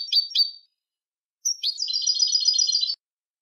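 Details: A European goldfinch song recording for tutoring young goldfinches: two quick high twittering notes, then after a pause a bright, rapid, tinkling trill lasting over a second.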